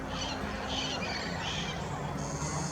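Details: A large wild flock of Red-crowned Parrots, hundreds and maybe a thousand, gathers near its roost at a residential park in Pasadena, California, just before sunset. Harsh, raspy squawks overlap in bursts under a steady low traffic hum.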